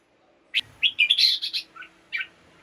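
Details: Red-whiskered bulbul kept in a cage, its morning song used to rouse other caged birds: a quick run of clear, chirpy whistled notes.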